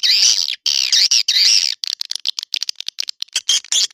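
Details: Used as a lure for swiftlet houses, edible-nest swiftlet calls start with long wavering buzzy chirps, then break into a fast irregular series of short clicks and chips.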